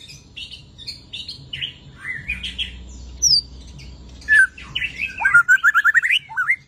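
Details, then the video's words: After moulting, a white-rumped shama delivers a varied song: scattered high chirps and buzzy notes at first, then a loud sharp note and a fast burst of rippling, repeated whistled trills toward the end, over low background hum. "Beginilah Kicauan Murai Batu Sehabis Mabung, Auto Bongkar Isian...!!!"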